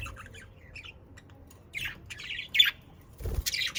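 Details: Australian parakeets (budgerigars) in Den Haag, South Holland, Netherlands, giving sparse, bright chirps and short raspy squawks. Quiet pauses separate the notes, and a louder chattering burst comes near the end.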